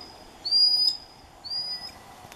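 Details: Alarm from a common sandpiper guarding hidden newly hatched chicks on a shoal of the Neman River, June 2015: two shrill, level, high-pitched whistled notes about a second apart over soft background hiss.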